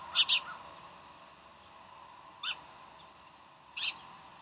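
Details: Decorah bald eagle, 15 January 2012 morning: two very high, harsh squeals close together, followed by two isolated thinner shrieks spaced more than a second apart.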